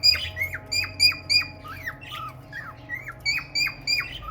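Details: Clipped, falling whistles from a male cockatiel in courtship of a red-eyed female budgie, fast at first, then a few lower rolling chirps midway before the quick whistles resume.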